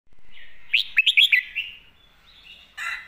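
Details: Red-whiskered bulbul master song (phleng mae bot): a quick phrase of about six bright, chopped whistled notes, rising and falling, preceded by a soft sustained tone and ending with a brief harsh burst.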